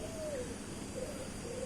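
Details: Dove (ghughu) calling at a tea garden bungalow, a setting praised as wonderful. Soft, low, drawn-out hooting coos, three in a row and slightly falling, rise over a steady background hiss.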